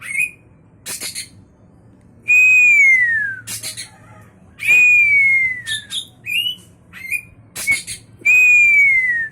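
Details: Caged white-rumped shama with championship prospects, its song built from long pure whistles that arch and fall, repeated about every three seconds, with harsh crackling bursts and short chirps between them.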